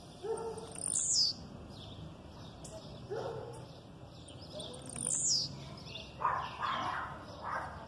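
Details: Blue-black grassquit aggressive song with female calls in the background: two brief, very high, sharply falling buzzy notes about four seconds apart, with softer lower chirps and calls scattered between them over faint background hiss.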